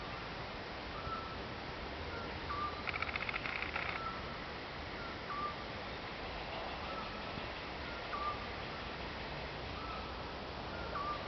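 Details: Eurasian scops owl calling in Croatia: a series of brief, clear whistled notes every two to three seconds, with fainter, slightly higher notes between them. A short buzzy rattle sounds near the start, over constant hiss.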